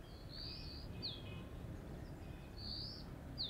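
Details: Dark-grey bush chat perched on a deodar twig giving a loud call at Jabbarkhet sanctuary, western Himalaya: high thin whistled notes, each a brief rising slur followed by a sharp downward flick, in two pairs about two seconds apart, over low rumbling background.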